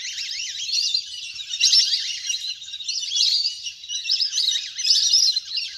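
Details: Natural recording of a large flock of ducks playing in water, meant to call birds down: thin whistles and twitters rise and fall in loose waves, some notes slurred up and down.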